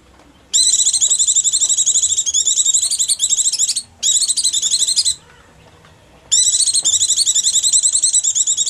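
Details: Oriental white-eye calling in hunger or fright, a sound used for luring small birds: a continuous stream of rapid, high, buzzing chatter lasting several seconds, a brief break, then the chattering resumes.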